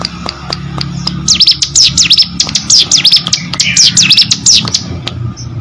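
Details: Hill prinia, a kept cage bird, singing vigorously (gacor): after a quieter start, rapid high buzzy notes swoop down and up, chained in fast runs, with sharp clicks and a low hum behind.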